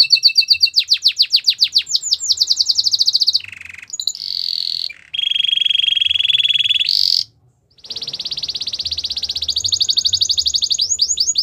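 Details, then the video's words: Belgian canary song meant for training young canaries: fast repeated chips, varied buzzy rolls, a short silence, then a long rapid trill finishing in quick notes. "Canary singing for training | Belgian canary song"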